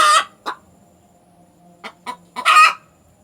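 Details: Hen calling after laying an egg: a loud harsh squawk, a short cluck, a pause, then a few spaced clucks leading into another loud drawn-out cackle.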